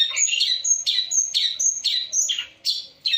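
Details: Long-tailed shrike in energetic full-variation song, giving a steady run of short, high, thin whistles, each joined to a harsher, buzzy lower note, about twice per second.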